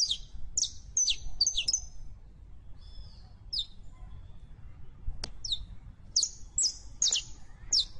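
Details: A saffron finch gives scattered high chips and brief whistled slurs, some notes clustered, others spaced, against a rumbling low background noise.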